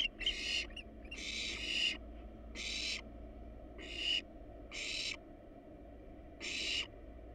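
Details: Wild barn owls at a nest box, the adult pair resting on top with nestlings inside: harsh, breathy hissing screeches in short bursts, about seven in seven seconds, over a steady low hum.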